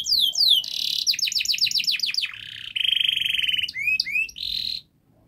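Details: Long, fast canary song meant to help young canaries start singing quickly: descending sweeps, choppy trills, a steady buzzy roll lasting about a second, then a few bright notes before falling silent.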